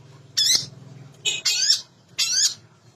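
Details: Long-tailed shrike song played as a lure for lazy or silent shrikes: three drawn-out, buzzy, harsh squawks roughly a second apart over a low humming background.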